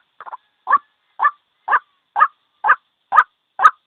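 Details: Lone ruak-ruak, the white-breasted waterhen, calling as a bird-trap lure: a quick stuttered triple note, then seven hoarse, clipped croaks evenly spaced about half a second apart.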